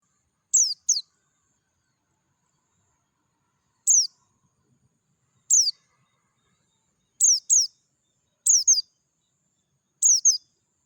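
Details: Oriental white-eye of the dakun type in natural surroundings, calling clearly: short, very high, sharp descending chirps, mostly in quick pairs, repeated at irregular intervals of one to three seconds over an otherwise silent background.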